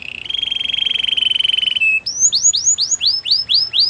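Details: White canary training song: a long, rapid buzzy trill held almost two seconds, then a run of looping rise-and-fall swept whistles repeated several times per second.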